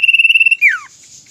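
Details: One phrase from a kept common iora in Indonesia: a steady, fast-pulsed whistled trill that breaks into a sliding, falling note, followed by a soft hiss.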